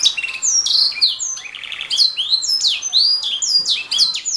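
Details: Singing canary from a master recording meant to teach songbirds, pouring out sharp high downslurred whistles and a stuttering lower trill at mid-clip, delivered without pause.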